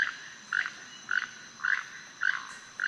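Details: Frog-like croaking of a Keel-billed Toucan, a call that helps locate toucans: rasping croaks repeated at a steady pace roughly twice per second, six in all.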